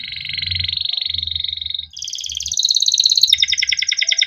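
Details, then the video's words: Male pet canary singing a long 'cuit cuit ngerol' style song, kept as a master recording to coax other canaries into singing. It gives a steady high rolling trill, then shifts into faster, brighter buzzy trills. "burung KENARI CUIT CUIT NGEROL untuk pancingan kenari biar gacor"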